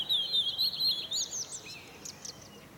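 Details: European robin singing in the morning from a fir tree: thin, high whistled notes wavering at the start, then a cascade of quick warbled notes sliding downward and fading into soft twitters.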